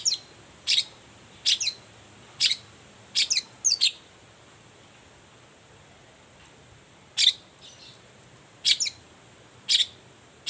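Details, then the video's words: Lure calls of a Long-tailed shrike in the morning, intended to set quiet shrikes answering: rasping notes in pairs and singles, a pause of a few seconds, then more scratchy notes, with a steady high hiss. "toet toet Suara cendet gacor Pagi Hari pancingan jitu BIKIN cendet diam langsung nyaut ikutan bunyi"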